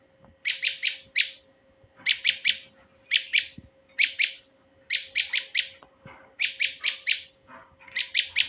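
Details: Male prinia, recorded to lure birds: a long series of chattering bursts, each of three or four high, buzzy notes, repeating roughly once a second with regular pauses. A steady low hum and occasional clicks accompany.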